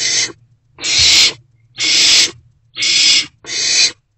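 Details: Barn owl owlet in a nest box at night, about 1:22–1:30 am on 16 March 2024, swallowing a newly delivered rodent; five harsh, broadband hissing screeches, each about half a second, repeated roughly once a second with quiet gaps.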